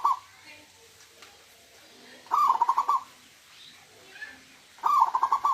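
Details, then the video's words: Local natural-strain zebra dove giving its 'huuurrr' song. Three rolling, pulsed coos repeat about every two and a half seconds, each under a second long. Faint background murmur lies between phrases. "PERKUTUT LOKAL ALAM SUARA HUUURRR"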